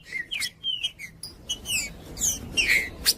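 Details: Green-winged saltator singing, a recording meant to warm up cold birds and train chicks. Short whistled notes slur downward, with buzzy high sweeps, chips and a bright rising whistle near the end.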